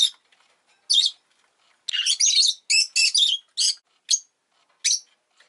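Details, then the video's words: Rosy-faced lovebird indoors at egg-laying time, giving a loud fast series of shrill, buzzy chirps that run almost together in the middle, then slow to single notes. "Lovebird Chirping Sounds"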